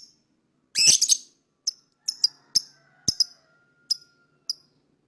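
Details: Lovebird singing and chirping to lure other birds: a loud burst of rapid chirps, then short high sharp chirps at irregular intervals, with a faint steady tone in the background.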